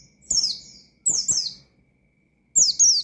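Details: Pleci, the Oriental white-eye, calling out a rival in ngalas style: three separate bursts of sharp, high descending notes, each a quick double or triple slur, with soft low ticking between.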